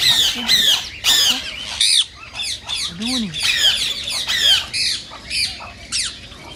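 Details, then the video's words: Rose-ringed parakeet squawks, used to stimulate singing and mating: shrill, harsh, repeated calls at varied loudness, with a lower, softer call in the background midway. "صوت ببغاء الدرة الخضراء"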